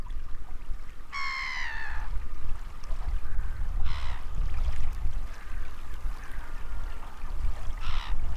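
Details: Snow bunting (Plectrophenax nivalis), a lively small flock met on a March walk, calls: one clear, slightly falling, nasal note near the start, then two shorter, rougher notes a few seconds apart, over steady wind or rushing water.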